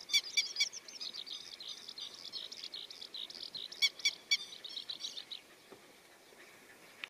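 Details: Grey-headed lapwing chicks with their parents, at first hidden among the adults, 27 May 2020: a busy stream of thin, high peeping chirps, punctuated by a few sharp clicking bursts, fading out after about five seconds.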